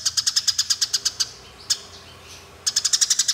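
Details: Dense string of sharp, high chirps from Eurasian tree sparrows in a fight, then a pause broken by a single note, and a new rapid series at the end. Intended for training other birds.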